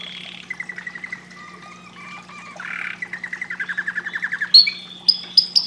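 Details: Canary singing a varied song: brief high whistle, then repeated chirp notes and a fast rising series of trilled pulses, ending in sharp high squeaks; a steady low hum underneath.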